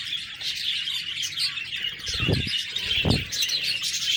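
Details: Budgerigars chatter in high, buzzy warbles and squeaks, while two soft low thuds break in around the middle.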